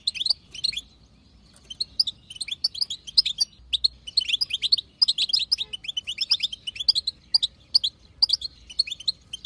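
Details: Wild female European goldfinch chattering to coax a male to sing; a long, lively stream of high tinkling chirps in rhythmic bursts, with one short pause near the start and otherwise continuous twitter.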